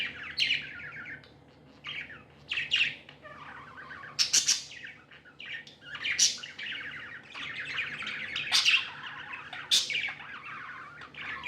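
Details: Pet budgies in good spirits chirping in separate bursts: clipped, scratchy phrases and sharp high tweets every second or two, with soft chatter filling the gaps.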